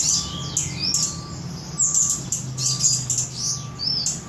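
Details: Flowerpecker, local name cabai gunung, recorded in Samarinda, Indonesia; lively high twitters with arched whistled slurs roughly once a second, over a faint tone that pulses at regular intervals.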